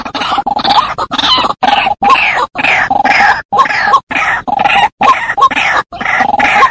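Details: White-breasted waterhen (Amaurornis phoenicurus) giving loud, harsh, grunting croaks in quick repeated bursts, each under a second with brief gaps between them.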